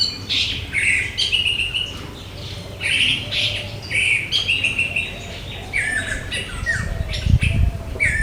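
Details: Orange-headed thrush in India, delivering a continuous run of varied, sweet whistled phrases with slurs and rising and falling notes, some overlapping, over low rumbling background noise and soft cooing.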